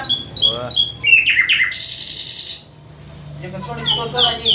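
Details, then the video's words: Common nightingale song: clear whistles, slurred descending notes, a harsh buzzy rattle and a high thin whistle, then rapid warbled phrases, with a faint low hum underneath. "nightengale birds sounds طاٸر العندلیب"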